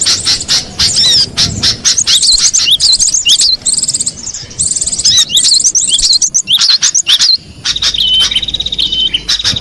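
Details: Wild cinereous tit: a busy stream of high twittering chirps and quick upward slurs, ending in a steady series of level whistled notes repeated in quick succession.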